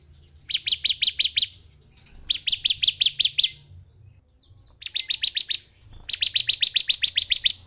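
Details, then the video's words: Lure recording of bar-winged prinia song meant to make a sluggish caged bird excited and singing quickly; four fast rattling bursts of sharp high notes, each burst of six to ten chips, separated by brief pauses and faint thin whistles. "Pancingan Ciblek semi agar cepat emosi dan cepat bunyi"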